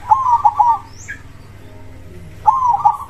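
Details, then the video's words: Singing zebra dove of a crossbred line with a big voice: a trilled cooing phrase, about two seconds of near silence, then the next warbling coo begins. "suara perkutut gacor dor krosing suara besar"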